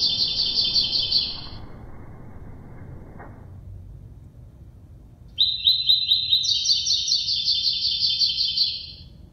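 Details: Six-month-old kept double-collared seedeater in brown plumage singing a classic three-note song in a contest with a black-plumaged rival: two loud bursts of rapid, buzzy, high trilled notes, a long pause between them, with a low background rumble.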